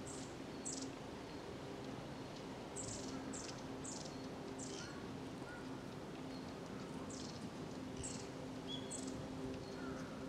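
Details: Recorded 2 January 2012; the call is stated to be a long-tailed tit's, not the white-eye shown. Thin, very high chips, singly and in quick pairs about every second, over a steady low hum and background hiss. Finding: warbling white-eye.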